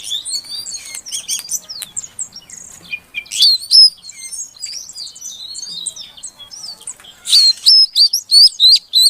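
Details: Female Oriental magpie-robin calling to draw song from a silent male. Varied high chirps and trills open the run. Later comes a series of loud, evenly spaced, sharp whistled notes roughly every half second.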